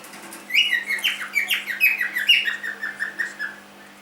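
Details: Three-month-old pet cockatiel indoors giving a run of about a dozen quick, bright chirps, each sliding down in pitch, packed closely over three seconds, with a steady low hum in the room behind.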